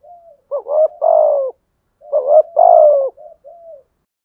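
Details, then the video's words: Decoy spotted dove cooing to provoke rivals: two phrases, each a short note and a longer falling coo, framed by soft faint trailing hoots; no background noise. "Chim cu gáy mồi gù đấu, chim cu gáy mồi kích bổi rất nhanh nổi"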